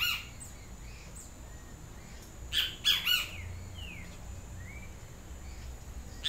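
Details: Great Kiskadee, the benteveo with a yellow crest, calling: one loud burst of three shrill, strident notes midway. Softer slurred whistles follow against a steady hiss.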